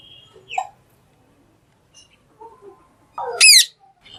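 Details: Talking green parrot making soft, scattered chatter and squeaky notes, then one loud, rasping, arched screech near the end.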